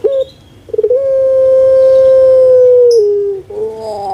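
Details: Puter pelung dove kept in Java, Indonesia: a couple of quick stuttering notes lead into one loud sustained coo of about two seconds that ends with a lower falling tail.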